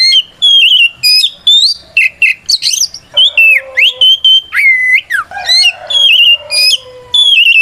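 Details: Fighting-style song of a white-rumped shama, meant to lure silent or group-kept shamas into replying; rapid varied whistles, upslurs and downslurs, with harsh buzzy bursts mixed into a continuous rich stream.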